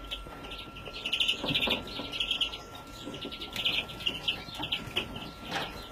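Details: Young European greenfinch in 2017 giving repeated runs of rapid, buzzy twittering notes in several bursts, with a faint continuous tone and occasional soft thuds in the background.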